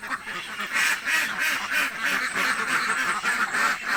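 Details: Hungry village ducks, a flock of laying ducks, quack loudly and steadily, harsh nasal calls in a fairly even rhythm of about three per second, one bird prominent over the rest.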